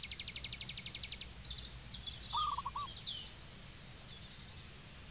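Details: A zebra dove from Cambodia gives one clipped, rapid run of soft cooing notes midway through. Before it, another bird produces a fast, even high-pitched trill, and scattered chirps follow.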